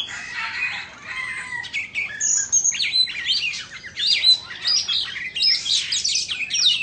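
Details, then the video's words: White-rumped shama of Indonesian origin singing in a tail-fanning dance; bright high whistles and rapid zigzag slurred notes in continuous flowing phrases, with occasional lower whistled tones. "Choè Than Indo hót múa xoè"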